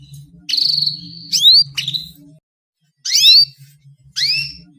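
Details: Female canary call played to get males singing: a steady buzzy note, then sharp rising whistles in short bursts separated by silences, over a faint low hum.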